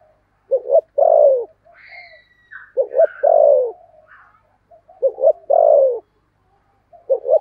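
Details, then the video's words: 'Thúc bổi' cooing of a decoy spotted dove with a 'thổ' voice, used for luring. The phrase repeats roughly every two seconds: a paired short note, then a long, downward-sliding coo. Faint higher whistled notes sound in the gaps. "Chim Cu Mồi giọng THỔ"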